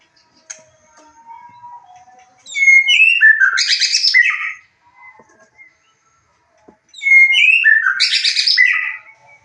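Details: White-rumped shama song used as a lure to stir other birds into singing back: two loud, rich bursts of rapid, varied whistled and chattering notes, sweeping up and down, separated by a pause with soft scattered twitters.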